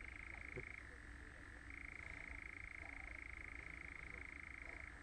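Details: European nightjar (Caprimulgus europaeus) churring call: a long, even, mechanical churr, a dry rapid trill that breaks briefly and then resumes at a slightly different pitch, over faint background noise.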